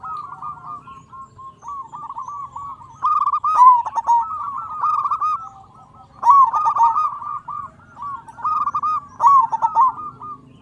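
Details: Zebra dove of local stock in full song, a lure for quiet doves: repeated bursts of quick, bubbling coos, each phrase a few seconds long and separated by brief gaps, about four phrases in all.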